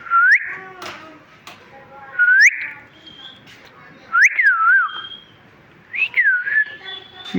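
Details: Talking pet parrot chirping: clear whistled notes that rise and swoop, some looping down then up, given in four separate phrases about every two seconds, with faint clicks and soft indoor background between them.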